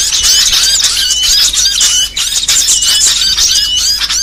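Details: Small songbirds in a varied training mix: busy high chatter over a recurring steady whistled tone, rapid chirps and trills packed densely, with a brief lull just past halfway.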